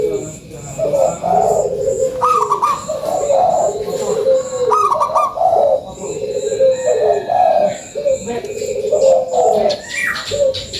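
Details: Lure song of a local zebra dove singing vigorously: bubbly trilled coos alternating between a higher rolling phrase and a lower drawn-out note, repeated steadily with brief gaps; a faint high rhythmic ticking runs behind.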